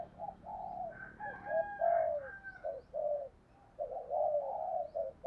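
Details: Spotted dove used as a decoy, cooing thúc gù style to call others in: a series of low mellow hoots and longer croons, partly overlapping, with a steady hiss behind and faint higher notes.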